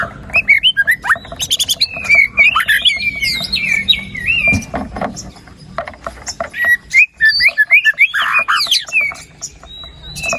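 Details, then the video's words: White-rumped shama singing a full 'isian' medley in 'gacor' style: varied whistles and trills mixed with sharp ticking bursts, a low background hum, continuing steadily. "PANCINGAN MURAI BATU GACOR ! BONGKAR ISIAN ! NAIKAN MURAI BATU MALAS BUNYI AGAR CEPAT GACOR !"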